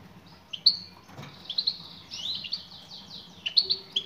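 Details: Female European goldfinch calling to a male: scattered high chirps early, then a fast run of bright, descending twittered notes, ending with quick paired tweets.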